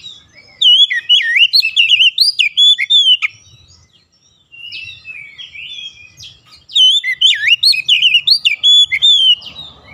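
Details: Lure song of an Oriental magpie-robin meant to set other magpie-robins singing: two long bursts of rich, varied whistles with rising and falling slurs and quick chirps, separated by a brief lull.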